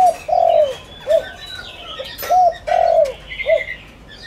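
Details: Spotted dove used as a lure bird to provoke wild doves into calling: two low cooing phrases, each a short note, a long drawn-out falling coo, then a short closing note, with faint chirps of other birds behind.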